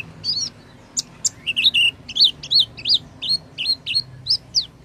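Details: Oriental white-eye lure sound meant to set a bird that has stopped singing going again: high, bright chirps rising then falling, about three a second, fairly even, over a soft low murmur.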